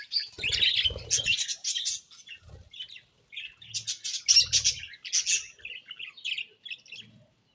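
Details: Morning chatter of pet budgerigars: short clusters of sharp, high chirps and buzzy twitters separated by gaps, accompanied by soft low fluttering sounds.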